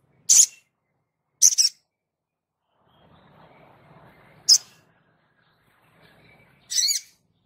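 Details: Sogon (crested jay) in active song, giving four separate sharp, harsh high notes spaced one to two seconds apart. A faint low hum runs between them.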